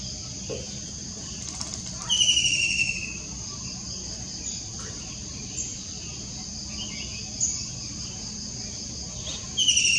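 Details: White-throated kingfisher giving loud, descending, whinnying trills in two bursts, about seven seconds apart, over a steady high insect drone; recorded 21 June 2021.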